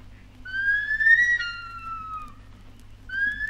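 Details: Bush stone-curlew, recorded in Australia in the 1960s and released on a 1968 vinyl record. One long, clear whistled wail that rises slowly, then breaks and falls away, followed by the start of another rising wail. Faint low hum underneath.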